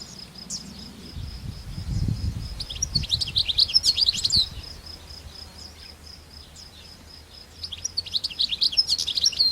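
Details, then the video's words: Wild European goldfinch song in nature, with lively clusters of high chattering twitters and sweet trilled notes in two spells. A thin continuous high tone runs throughout, and low rumbling noise comes early on. "طيور الحسون في الطبيعة"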